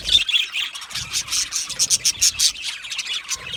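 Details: Australian budgies chirp contentedly in a string of short, bright pulses, about four a second in the second half, over faint background twitter.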